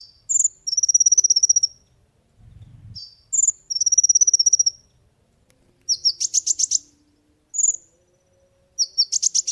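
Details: Olive-backed sunbird song used to train and lure other birds: high, fast trills of sharp ticking notes alternate with brief whistled chirps, in bursts of about a second separated by short pauses.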